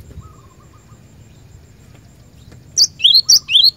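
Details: A cinereous tit kept for training caged birds delivers a brief burst of about three rapid phrases near the end, each a high thin note dropping to a lower upward-sweeping whistle, following quiet low background hum.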